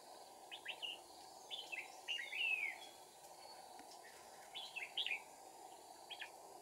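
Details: Caged red-whiskered bulbul decoys singing during trapping of wild bulbuls, 2 April 2019: short, faint warbled phrases with quick slurred notes, scattered over steady background hiss.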